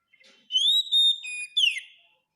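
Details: Oriental magpie-robin masteran tutoring song for caged birds: one pure whistled phrase that rises, holds a steady note, dips lower, then ends in a sharp downward slur, clean and loud with no other sounds.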